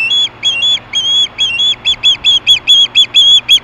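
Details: Hellgate osprey in 2014 screaming for fish at 4:19 PM: high, thin piercing whistles, some drawn out and others clipped short, tumbling rapidly in an irregular series above a constant low electrical hum.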